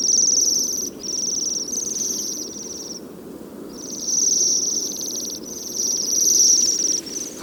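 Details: Bohemian waxwings in early winter snow among red rowan clusters. High, thin, ringing buzzy trills, each lasting about a second, follow one another in a long series with brief gaps, over a steady rushing background noise.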